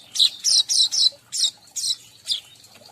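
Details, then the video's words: Weaver lure sound meant to draw in all weaver types: a quick series of loud, high, buzzy chirps, several close together at first, then spaced notes trailing off. "suara pemanggil semua jenis burung manyar"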